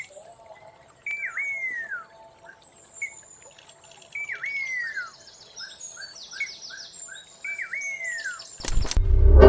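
Great Eared Nightjar giving a hooked whistle that jumps up, then slurs down, with soft short notes after, repeated about every three seconds; small birds chirp behind, and a loud bump ends it.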